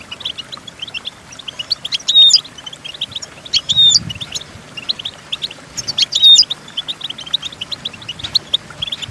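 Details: Goldfinch singing, intended for teaching goldfinches: steady fast twitter of short notes punctuated by loud ringing phrases roughly every two seconds, with a brief low rumble midway.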